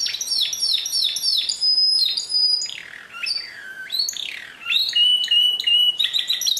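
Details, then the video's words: Singing canary delivering rapid repeated arched chirps, a steady high whistle, deep downward-swooping notes, then fast clipped trills and sharp repeated high notes in varied sequence. "Chant Canari Pur"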